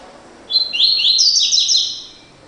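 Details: Double-collared seedeater singing the classic "tui tui" song type: a rapid run of bright, high whistled notes, stepping between two pitches over about two seconds; nothing else is heard.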